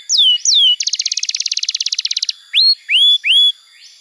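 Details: Canary tutor song for young birds and for canaries that have stopped singing: two high descending whistled slurs, then a fast even buzzy trill for about a second and a half, ending with three clear rising whistles.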